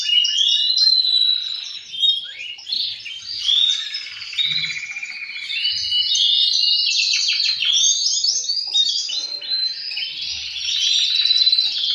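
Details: Male canaries singing together to stimulate other birds into breeding. One strong singer is answered by other males. Dense, continuous trills and rolling warbles with buzzy rattles and bright whistled notes, overlapping throughout with no pauses.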